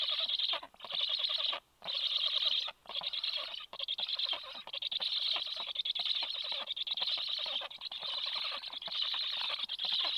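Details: Black stork nest at feeding time, 26 July, 9:40, with the male delivering fish to the chicks soon after the female's arrival; rasping, breathy hisses come in steady bursts near one per second with short pauses.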